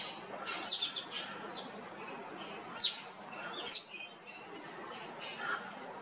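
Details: Sharp, piercing single notes at the Los Angeles Zoo, 21 March 2021, where a spur-winged lapwing chick ducks and hides; three loud clipped chirps spaced irregularly, with softer faint calls between and a low hum behind.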